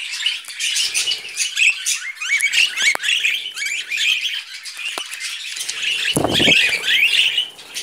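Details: Budgerigars eating vegetables keep up a steady scratchy warble with many short rising squeaks, interrupted by clicks and a low thump near the end.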